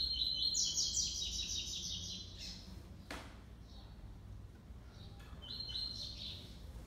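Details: Young brown male double-collared seedeater, six months old, dueling in song with a black male, classic three-note style: a loud, rapid high trill for two seconds, a sharp click, a pause, then another shorter trilled burst.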